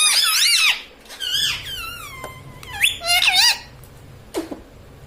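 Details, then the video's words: Pet parrot talking inside a home, with words such as mummy and papa; loud arching whistled syllables, a long falling harmonic tone, then a pair of bent notes and a last sharp chirp. "mummy bolne wala tota - Papa Bolne Wala Tota - Talking parrot - Mitthu Mitthu"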